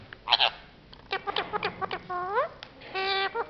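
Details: Parrot that speaks four languages, producing a run of clipped speech-like syllables, then rising, drawn-out voiced sounds and a final sustained harmonic note. The delivery is nasal and chattering.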